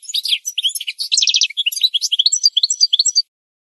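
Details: Singing goldfinch delivering a rapid run of tinkling chirps, a short dense trill and sweet slurred whistles, the phrase ending abruptly with silence after about three seconds.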